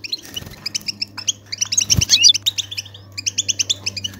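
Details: European goldfinch batbata chatter, played to stimulate silent goldfinches to sing: rapid runs of bright, doubled twittering notes in quick bursts, with a brief pause near the middle and a low steady hum beneath.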